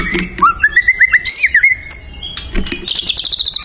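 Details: Wild white-rumped shama in full, vigorous song: a steady chain of short, clear whistled notes sliding up and down, then a rapid metallic chattering trill at the close. Low background clicks.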